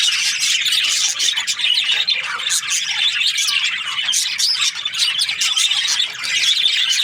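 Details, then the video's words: Budgerigars chirping happily: a dense, continuous mass of overlapping high squawks, chirps and warbled notes, steady and busy throughout, with brief dips in loudness and no other clear sounds. "Happy budgie chirping sounds"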